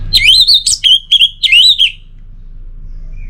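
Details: Orange-headed thrush song, used as a prompt for quiet birds: bright, varied whistled phrases that swoop and trill. A high upward-sweeping note comes midway. The bird falls silent after two seconds, leaving soft background hum.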